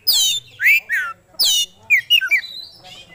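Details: Oriental magpie-robin, a 'kacer gacor' singing bird showing off its 'isian' song repertoire: three loud harsh squawking notes with rich overtones, then a quick run of short sharp whistled chirps, with faint low background hum.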